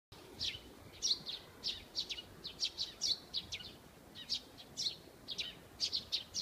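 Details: Eurasian tree sparrow singing in a maple tree at an elementary school: a string of bright, high chirps about twice a second, slightly irregular in pace, over a faint background hum.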